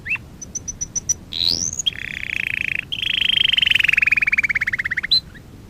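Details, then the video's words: Canary singing during song training: a run of short high pips, a rising whistled sweep, then a long buzzy trill and a fast descending rattle of rapid repeated notes, ending with a brief high chirp. "Kanarya sesi kanarya eğitim/1 canary sing"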